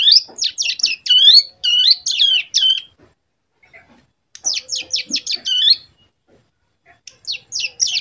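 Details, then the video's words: Two-month-old captive prinia learning a copied song: quick bursts of high, clipped chirps, each lasting about a second and a half, broken by short silences, with faint low knocks between bursts. "Cigun Belajar Ngebren AK47 Ciblek"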